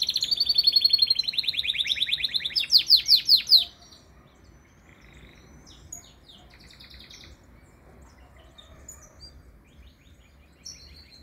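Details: Canary singing a loud rapid trill of repeated notes, then several sweeping descending notes, before falling quiet for the rest with only faint distant chirps and twitters.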